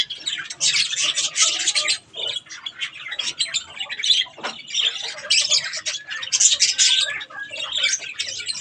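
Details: Several budgerigars, pet parakeets eating strawberries, give dense scratchy chattering and squawks in overlapping bursts, with short pauses between busy stretches.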